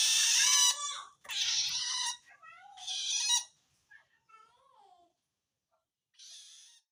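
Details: Long-tailed shrike, feeling threatened by other shrikes, calls to wild birds: three harsh rasping screeches in quick succession, then soft, thin, descending squeaky notes and a final fainter rasp.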